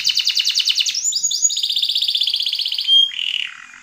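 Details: Yellow canary singing loud, rapid trills: fast repeated notes, then downward-swept slurs, a long buzzy rattle, and a low nasal note near the end.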